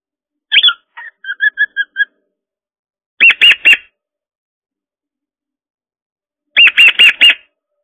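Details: A male cockatiel aged 13 years 6 months, home alone and practising talking in front of a camera, gives a quick run of clipped whistled notes, then two bursts of three or four sharp, buzzy chirps several seconds apart, in a quiet room.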